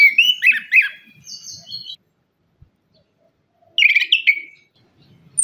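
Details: Orange-headed thrush lure song for birds slow to sing after moulting: a lively phrase of warbling, slurred whistles and a thin high note, a silent gap, then another similar chattering phrase.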